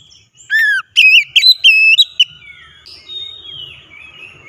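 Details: Lure song of an oriental magpie-robin used to get a silent bird singing: a quick run of loud, sharp whistled notes in the first two seconds, followed by fainter, trailing warbled notes.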